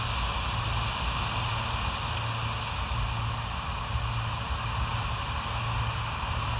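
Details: Steady broadband roar like traffic or engine noise with a low hum runs throughout, and no animal sounds are heard.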